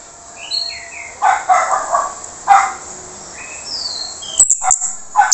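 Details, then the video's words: Orange-headed thrush with a harsh voice, used as a lure to prompt silent birds to sing. Slurred whistled notes slide between mid and high pitch, mixed with rough, buzzy bursts and a few sharp high clicks near the end, over a steady high hiss. "PANCINGAN ANIS MERAH SUARA KASAR YANG DIAM LANGSUNG RESPON"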